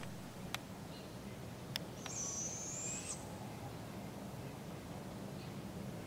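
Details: Begging barred owl fledgling at a park in Polk County, Iowa, on July 6, 2017, while its parents feed it: one shrill, raspy hiss lasting about a second, after a couple of sharp clicks.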